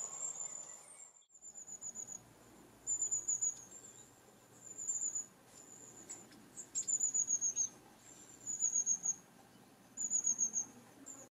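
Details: Long-tailed tit giving its high, thin 'tsee-tsee-tsee' contact call, which keeps a flock in touch as birds move from tree to tree: rapid bursts of notes about every two seconds over faint background hiss.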